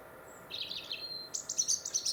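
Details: European robin singing in winter 2021 along the Monarch's Way, Warwickshire: a thin, high phrase whose wavering warble gives way to a sustained note, then a run of bright, sharp twittering notes.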